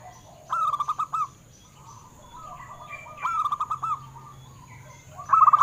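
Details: Zebra dove, a local wild-type perkutut, singing to stimulate caged doves: three separate short bursts of quick, mellow rolling notes, each about a second long with quiet gaps between them and a faint constant hum.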